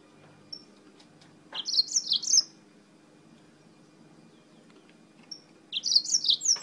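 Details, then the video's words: Yellow-fronted canary brought from Spain, singing profusely: two short bursts of rapid, high, sweet twittering notes separated by a few seconds of quiet, with a faint low hum underneath. "CANÁRIO-DE-MOÇAMBIQUE DIRETO DA ESPANHA CANTANDO MUITO"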